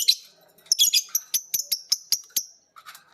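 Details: A biola green lovebird and a PB Piet lovebird copy ngekek from each other after hearing a master recording. A rapid string of about ten sharp high chirps lasts roughly two seconds, then a brief softer call.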